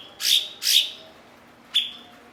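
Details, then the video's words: Blue-winged leafbird, skilled at imitating other species and used as a master bird to tutor songbirds, gives two rasping, swelling notes in quick succession, then a sharp shorter note after a pause. "MASTERAN BURUNG BERKICAU "CUKOK""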